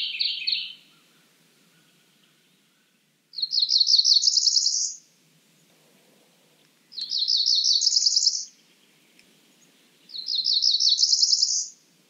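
A Cerulean warbler gives quick, buzzy phrases that climb to a high, thin trill, repeated about every three seconds against a quiet background.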